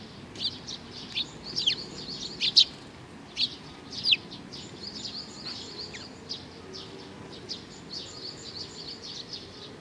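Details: Several sparrows come to be fed on 15 May 2019, giving repeated bright, high chirps, a few loud sweeping notes among softer tweets, with calling dense early and thinning toward the end.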